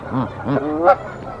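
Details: Canada goose at a Decorah tree nest during an intruder attack, 1 April 2024; two short low nasal grunts followed by one sharper, higher honk within a second and a half.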